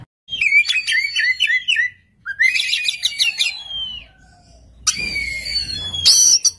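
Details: Oriental magpie-robin singing strongly from one place, provoking a reply from another magpie-robin; rich whistled trills and warbles in two long phrases, a pause, then harsh buzzy notes.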